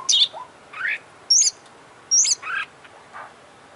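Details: Oriental magpie-robin in energetic song with beak and tail open, giving high piercing notes that alternate with lower rising buzzy phrases, spaced roughly half a second apart.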